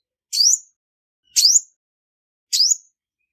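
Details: Three sharp, high chirps, each sweeping upward, spaced about a second apart, from a female olive-backed sunbird (Cinnyris jugularis), Vietnam; clean recording with silence between notes.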